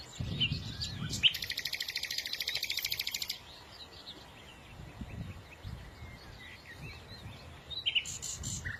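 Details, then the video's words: Bird song with a fast, evenly pulsed high trill lasting about two seconds, framed by short sharp chirps and scattered faint twitters, with low murmuring noise underneath. "إذا كنت تعشق سماع تغريد العصافير فلا تشتري قفزا فديو لعشاق تغريد العصافير"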